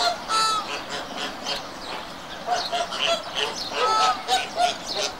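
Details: Flamingos calling together in a dense, overlapping chorus of nasal, goose-like honks, some short and some drawn out, with several birds sounding at once throughout.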